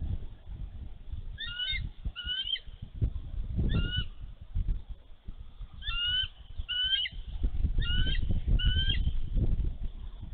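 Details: Female bald eagle at her nest in Minnesota on a snowy March 11, 2023, defending her egg against an intruding young eagle: bursts of high, thin whistled chirps in quick runs of two or three, over steady low wind rumble.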